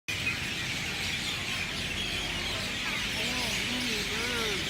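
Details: Birds chirping at sunset in a banyan tree in Lahaina, West Maui: a dense, hissing wash of high chatter from many birds, with people's voices rising and falling near the end.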